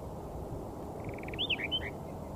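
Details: Layard's warbler, one of a pair foraging in bushes on a dry Karoo farm near Hanover, Northern Cape, singing softly to its mate: a quick buzzy trill leads into a few clear whistled, slurred notes rising and falling, over a steady low rumble.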